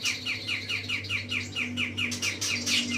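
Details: Grey-cheeked bulbul giving a steady series of clear, downward-slurred chirps, roughly four per second, evenly spaced, over a faint low background hum.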